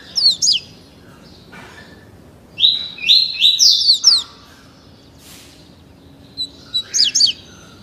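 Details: A 30-day-old captive double-collared seedeater being tutored in the tuí tuí Alcântara song style delivers a run of rapid whistled notes, then quieter brief downslurred phrases after a pause.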